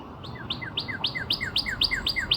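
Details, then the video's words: Rapid, evenly spaced cardinal phrases recorded near Nashville, Tennessee, on 17 April 2026: each pairs a high, clear upslurred whistle with a softer descending note, repeated roughly four times per second against light background noise. "Cardinal near Nashville Tennessee area today 4-17-26"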